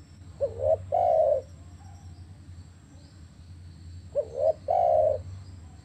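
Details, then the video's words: Spotted dove call played to get captive doves calling: low cooing phrases, each a short rising coo followed by a longer steady coo, given twice about three seconds apart over a steady low hum. "ATASI MACET BUNYI DERKUKU/TEKUKUR IDAMAN ANDA"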